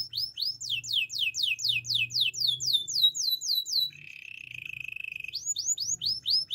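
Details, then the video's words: Russian canary pouring out rapid downslurred whistled sweeps, about four per second, then a low dry buzzing trill, then swept notes again over a faint background hum. "Russian canary song"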